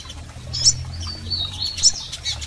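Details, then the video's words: Double-collared seedeater calls, female and male, played to stimulate a male: two sharp high chirps about a second apart joined by a thin descending whistled note, over a quiet low hum. "PIADOS de Coleiros Fêmeas e Machos Para Foguear Seu Coleiro!!!"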